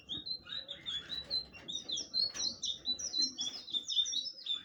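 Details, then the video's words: Blue flycatcher delivering a lively, high-pitched warbling song of rapid whistled notes and short slurs, steady and unbroken throughout. "burung sikatan biru/Anis biru"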